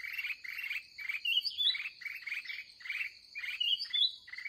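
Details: Wild, aggressive red-whiskered bulbul heard near the end of the day during bird trapping, giving rapid chattering chirps about four per second with brighter whistled notes mixed in, over a constant shrill insect hum.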